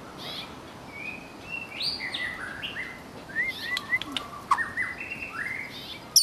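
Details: Softer singing from a wild white-rumped shama: varied thin whistles at shifting pitches, some rising, some level, with a few sharp clicks, over steady background hiss.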